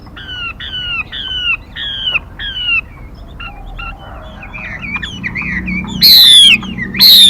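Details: Female Mi (laughingthrush) call used to draw in birds: evenly spaced, two-part falling whistles, then scattered softer chips, ending with two loud, harsh squeals.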